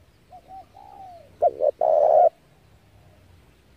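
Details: Spotted dove used as a trapping lure: quiet short coos and a drawn-out falling note, then a loud phrase of two clipped notes and a long throaty coo, with the next phrase just beginning.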